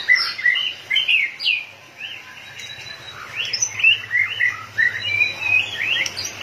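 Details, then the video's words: White-rumped shama in high excitement, tail pumping like a machine, pours out a rapid stream of varied whistles and chirps with sliding notes, over a constant low hum. "chòe lửa căng lửa.đập đuôi như cái máy | murai batu"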